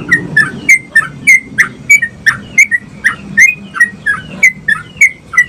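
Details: Sooty-headed bulbul in lively song for stimulating other bulbuls to sing, pouring out rapid bright chirpy whistles, about three a second, each short and slightly falling, over a soft low background.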